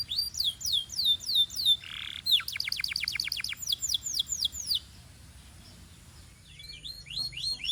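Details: Belgian canary singing during warm-up: repeated high swooping notes, a brief soft low burst, a fast run of descending sweeps, then near quiet before faint chirps return.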